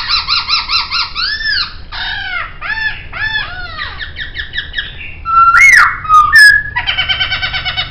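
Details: Poksay, a laughingthrush, delivers varied song for a master recording: series of arched harmonic notes, quick trills, then a loud ringing whistle with sharp high clicks, closing in a buzzy rattle.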